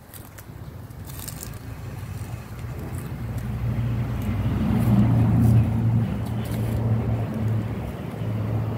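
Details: Low engine drone that swells and fades as a vehicle passes, with a faint high hiss and no clear animal calls.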